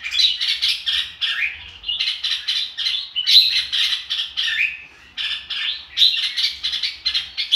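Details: Red-whiskered bulbul performing "ro kích bổi" song, quick bursts of loud chirping notes grouped into phrases, some ending in falling slurs, with a short break before a final energetic run.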